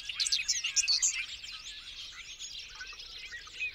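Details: Bobolink, a member of the blackbird family, singing a dense, bubbling jumble of rapid tumbling notes, loud at first then fading into a softer, continuous chatter.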